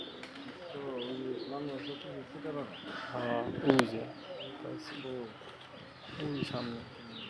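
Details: Local desi pigeons cooing: deep, throaty, wavering coos repeated through the recording and overlapping one another, with high chirps from other birds above.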